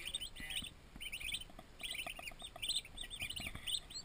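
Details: A chorus of baby turkey poults, twenty new arrivals in a farm nursery, gives rapid high chirping peeps in overlapping bursts, steady and continuous throughout.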